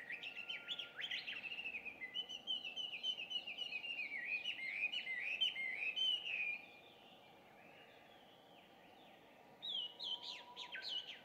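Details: Dawn song of a Chinese hwamei, an introduced bird, recorded at about 5:30 on a June 2019 morning. It starts with a busy flow of bright whistled slurs for six seconds, then pauses, then resumes with rising whistles.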